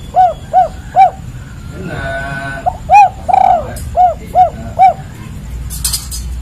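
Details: Spotted dove (tekukur, derkuku) calling in the kuk 3 style: a regular series of short hollow coos in threes, one note drawn out and quavering. A harsh buzzing burst comes early, and a hiss comes near the end.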